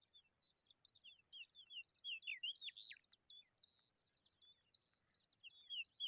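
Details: A baby pipit begs while putting a worm in its mouth, a rapid, jumbled stream of thin, high squeaky chirps, some sliding downward, rising in bursts several times a second.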